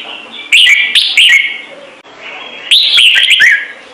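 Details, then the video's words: Caged red-whiskered bulbul singing a clean, full song used to set newly caught birds singing. Two bursts of rich, fluty warbling with quick slurred notes, split by a brief lull near the middle. "CHÀO MÀO | Trung Mang hót giọng chuẩn cực hay - Bổi nghe là hót"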